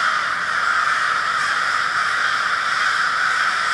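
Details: Many crows form a murder in Minneapolis, Minnesota, on February 20, 2020; their loud, raspy caws blend into a thick, constant roar.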